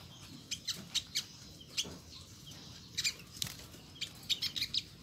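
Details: Olive-backed sunbird (Nectarinia jugularis), a territorial bird, giving its characteristic thin, high, sharp chips, single or in quick clusters of two or three, at an uneven pace over a faint hiss.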